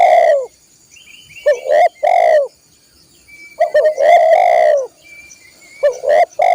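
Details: Spotted dove cooing, used to train caged birds: paired short notes followed by a longer drawn coo, repeated about every two seconds. Brief high whistles and a steady thin background tone are also audible.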